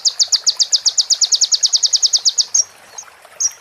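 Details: Clear crimson sunbird (konin) training song with prenjak and ciblek phrases: a fast, even run of about twenty high sharp chips over two and a half seconds, then a few isolated thin notes.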